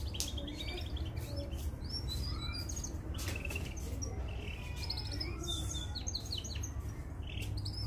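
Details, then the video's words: A young mosaic canary sings quick high chirps and short rattling trills scattered through the clip over a steady low hum. "Canary Singing Full training vedio | Canary baby singing"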